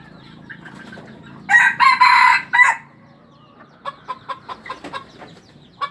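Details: Captive junglefowl at a breeding farm in Aceh, Indonesia, gives one loud, harsh, broken crow of four bursts lasting about a second and a half. It is followed by a series of short, soft clucking notes over a quiet background.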